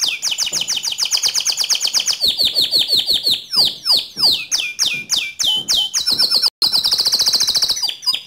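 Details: Canary singing to provoke other canaries into song: fast, even trills of high sweeping notes, then a run of steep downward whistles, a brief cut, and a long dense rolling trill at the end.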